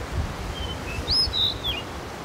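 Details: Male blue rock thrush, 1 May 2023, filmed with a Sony A7S3: a short sweet whistled phrase of a few notes, with a steady note, a rising swoop and a falling slur, above soft wind noise.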